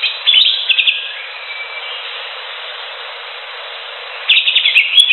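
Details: A wild greater green leafbird gives a short burst of quick, high chirping notes, then a long quiet gap with one faint drawn-out whistle, before another lively chattering burst.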